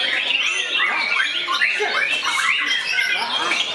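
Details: White-rumped shama attacking a rival with a short burst of high, rapid song: quick up-and-down whistles and scratchy chirps packed closely together.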